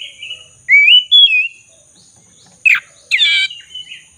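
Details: Black-breasted Oriental magpie-robin, used as a lure recording to get other magpie-robins singing, sings sweet, slurred whistles rising and falling, then two harsh, scratchy bursts, over a faint steady high hum.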